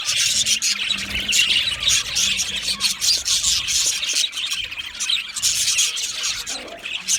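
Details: Budgerigars described as lonely make loud contact or distress calls: a nonstop, shrill chatter of quick squeaks and scratchy chirps with short rises in loudness.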